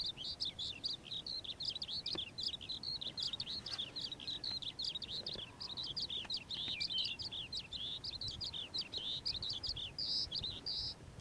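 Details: Calandra lark in the morning, pouring out a long, continuous, scratchy twitter of quick high notes with buzzy and whistled phrases mixed in, over a quiet background.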